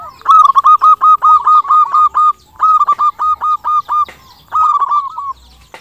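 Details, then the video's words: Singing local zebra dove, described as crystal-voiced and used as a lure to draw answers from other doves; three loud phrases of rapid, evenly spaced hooked coos, each phrase running about a second and a half. "PERKUTUT LOKAL GACOR SUARA KRISTAL - Pancingan perkutut bikin cepat nyaut"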